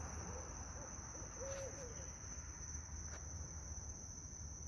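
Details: One of five barred owls calling at night in a park, the birds unseen; a single low, drawn-out arched hoot sounds near the middle, set against a background of crickets and a steady high whine.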